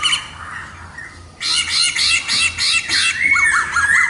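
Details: After a soft opening, a black-throated laughingthrush bursts into loud harsh pulsed calls about five per second, finishing with short whistled upslurs.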